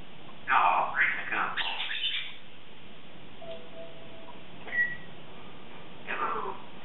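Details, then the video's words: A 3.5-year-old female Congo African grey parrot practices words in the morning indoors: a quick run of chattered, speech-like syllables, a faint steady whistle, a short whistled chirp, then a final mumbled phrase. "Talking African Grey's Morning Vocalizations"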